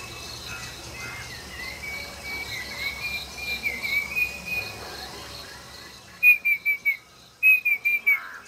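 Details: Banded bay cuckoo, thought to be female, in Coorg, India, responding to an imitated call: clear, high whistled four-note phrases, given twice near the end, after faint whistling over a noisy background.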